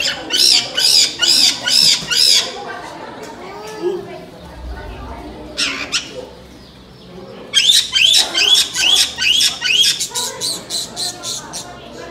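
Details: Black-headed caique kept in captivity in Yokohama, Japan: rapid runs of shrill, rasping squawks repeated over twice a second, a short pause with a lone screech and faint chatter, then another long burst of the same grating calls.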